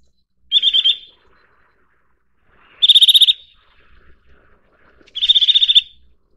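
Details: Eurasian nuthatch giving three short, rapid trills, each a burst of about eight to ten sharp high pulses lasting half a second, spaced roughly two seconds apart with quiet between.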